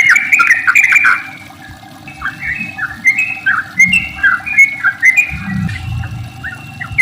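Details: Lure song of a sooty-headed bulbul, long rapid 'ropel' style meant to set other bulbuls singing: busy warbled burst, then a string of short rising-falling whistled phrases, with low rumbling in the background.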